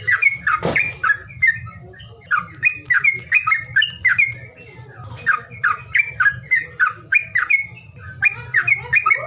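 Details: Bird calling sound for birds reluctant to sing: a steady stream of squawky, falling chirps repeated roughly twice a second, with one loud noisy burst near the start and a low background hum.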